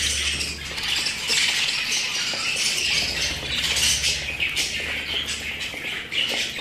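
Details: Pet budgerigars chattering nonstop, a jumble of quick warbles, squeaks and chirps layered over one another, with a faint low electrical hum in the background.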